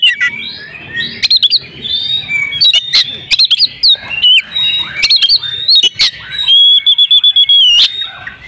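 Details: Female oriental magpie-robin in breeding condition, calling to stir males into song: loud, sharp whistled notes and harsh squawks in quick bursts, some held as steady high tones with clicking overtones, close and clear in a small room.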